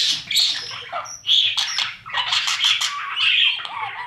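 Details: Inside a budgie nest box at feeding time, chicks with their parents: loud harsh buzzy calls and high squeaks in bursts, one note sliding downward near the end.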